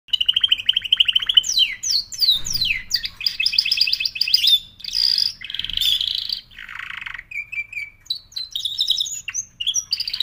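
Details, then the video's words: Canary singing a long, varied song: steady high trills, quick falling sweeps and buzzy rolled phrases, shifting from one tour to the next without pause. "L'oiseau canari chante"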